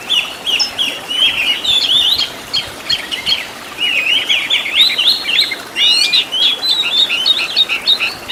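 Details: Oriental magpie-robin master song for training caged birds, full of rich fill-in phrases and burst notes: fast, varied whistled and chattering phrases, mostly high-pitched, delivered in dense runs with brief pauses around three and six seconds.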